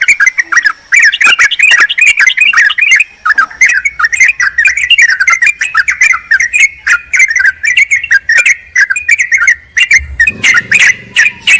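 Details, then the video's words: Sooty-headed bulbul lure sound, a bird calling a rival: dense, excited chattering and chirping throughout, with a low thump near the end. "Trucukan memanggil lawan"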